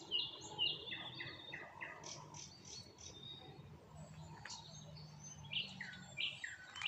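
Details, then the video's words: Nightingales sing at sunset in the Moscow region while acacia blooms: rapid bursts of sharp whistles, chirps and rattled notes in quick varied phrases, with another bird calling and a low background hum. "Соловьи поют."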